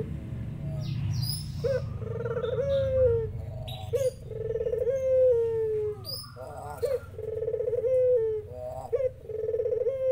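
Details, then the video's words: Spotted dove calls with zebra doves joining in. Rolling, vibrating coos wander slightly in pitch, broken by short gaps and a few higher clipped notes. Faint chirps from other birds sit above. "Burung Puter lokal gacor burung perkutut tekukur tikukur deruk derkuku titiran ikut nyahut"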